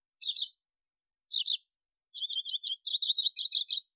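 A male Atlantic canary sings two short twittering phrases, then a fast run of bright, high chirps repeated about five times a second.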